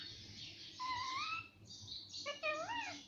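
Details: Parrot said to speak mummy and papa produces a drawn-out wavering tone, a pause, then a quick stepped series of syllables ending in a rising bend, all indoors with steady low hum.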